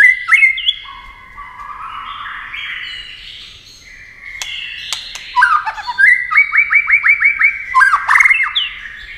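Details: White-rumped shama in speed competition singing with constant wing flashing and tail play: smooth whistled phrases, then a rapid series of about eight identical down-slurred notes and closing flourishes.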